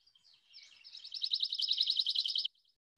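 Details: Pine Warbler song, played in a South Carolina winter-birds talk as a comparison: a quick, even, musical trill of high notes lasting about a second and a half, softer at the start, described as more melodic. Nothing else is heard.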